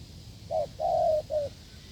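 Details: Single phrase from a wild field spotted dove cooing strongly near a decoy setup: brief note, long level coo, then a shorter closing note, over low rumbling background.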